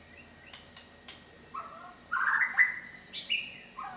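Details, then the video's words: White-rumped shama of the Medan type, a kept songbird showing its imitated repertoire: faint clicks, then loud rich warbled phrases in quick succession, with short high notes between. "BURUNG MURAI BATU MEDAN BONGKAR ISIAN"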